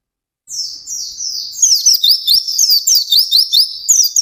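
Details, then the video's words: White-eye in rapid, intense song: after a short silence, high twittering notes build into a fast series of sharp, slurred chirps, about two or three each second, continuing without a break. "SUARA BURUNG PLECI GACOR NGALAS CEPAT"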